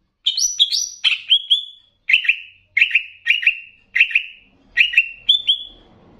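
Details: Greater green leafbird of the Banyuwangi type, a training master with bebeci-style variations meant to raise other leafbirds' excitement: loud sharp whistled phrases, each a quick stutter of notes ending in a falling trill, repeated about every second against a quiet background.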